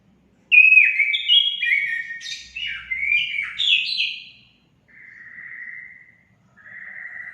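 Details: Song of an orange-headed thrush, used to get caged birds singing actively: a fast string of loud, clear, varied whistled phrases with rapid jumps in pitch, followed by two softer, level whistled notes after a pause.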